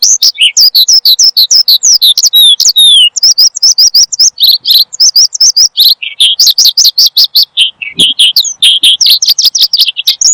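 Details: Long, fluent song from a Horsfield's bushlark kept as a cage bird, played for luring and mastering: a steady stream of rapid high chirps, trills and falling whistles, with one brief pause and a soft thump.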